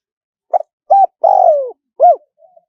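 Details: High-voiced spotted dove giving wild-style coos meant to draw wild doves in: a soft pickup note, a flat coo, a long throbbing coo falling in pitch, then a rounded arched note and faint trailing murmur.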